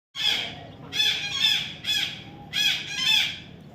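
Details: Baby parrot during taming, described as Indian ringneck: harsh, broad squawks with stacked harmonics, given in bursts of one or two about every second, loud and close with quiet gaps between.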